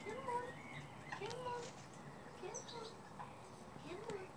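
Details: Wild Mandarin ducklings born in a Gloucestershire garden, UK, in May 2017, hand fed mealworms near the house; soft slurred peeps, some rising and some falling, repeated irregularly, with a woman talking quietly.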